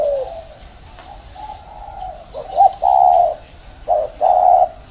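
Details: Spotted dove coo phrases: soft low drawn-out notes, then a clipped note and a louder sustained coo, repeated, with faint outdoor background.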